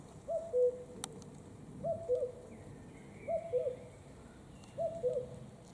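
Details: Common cuckoo singing its two-note cu-ckoo, a higher note dropping to a lower one, repeated four times about every one and a half seconds; faint high trills of another bird in the background.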